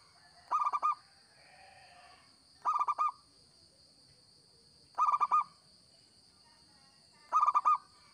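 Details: Local zebra dove singing as a lure bird: four short staccato coo phrases, each of about four quick notes, repeated roughly every two and a half seconds. A constant shrill tonal hum sounds in the background.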